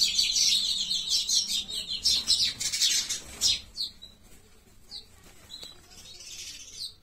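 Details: Sparrows known locally as pichuka fight with loud busy chirping for about four seconds, then only a few scattered single chirps and a faint flutter.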